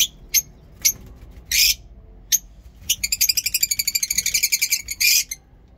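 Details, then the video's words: Lovebirds in a mini zoo in the morning: a few sharp isolated chirps and a raspy burst, followed by a long, fast trill of high squeaky notes and a final harsh call. "Lovebirds Sound in mini zoo"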